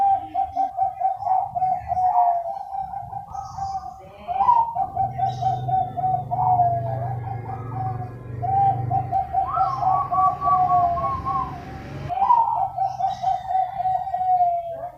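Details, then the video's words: Several Bangkok-type zebra doves answering one another: continuous overlapping trilled, bubbling coos, some rising or falling phrases, steady throughout, over a low background hum in the middle section. "Perkutut Bangkok Suara Rame-Rame Bersautan"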